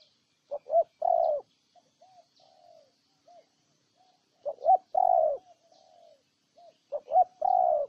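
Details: Spotted dove in Ninh Thuận, Vietnam, delivering three loud cooing phrases about every three seconds, each a quick double note then a long coo, with soft, low coos trailing between phrases.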